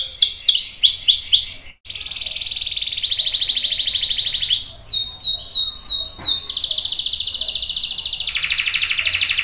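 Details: Energetic canary roll used as a tutor for young and adult canaries: looping whistled phrases, a pause, then long steady trills at changing pitches, swooping notes, and a final sustained buzzy roll.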